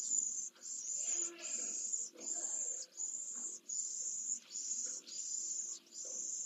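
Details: Pallid swift, a single chick fed at its nest and exercising its wings, Jerez de la Frontera, Spain, 15 September 2022; thin, high, buzzy hissing bursts repeat about once a second over a faint low background.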